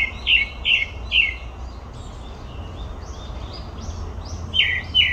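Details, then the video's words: Three falling whistled notes from a grey-backed thrush at Olympic Park, then quiet high twittering, then two more loud descending whistles; faint low background noise. "되지빠귀 울음소리"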